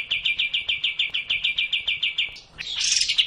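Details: Sooty-headed bulbul song meant to stir a lazy bird into full song: a steady run of about a dozen rapid, evenly spaced chirps, then a brief rising, scratchy flourish at the end.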